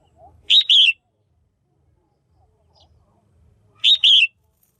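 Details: Caged female Red-whiskered bulbul calling to stimulate males or for pairing: two short, bright bursts, each of two quick chirpy, slightly buzzy notes, about three seconds apart, with near silence between.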